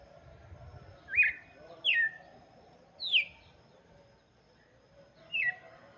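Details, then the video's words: Red-cowled cardinal song for chicks, four thinner downslurred whistles heard against steady background noise and a low rumble. "cantoria de galo de campina para Filhotes - canto do galo de campina"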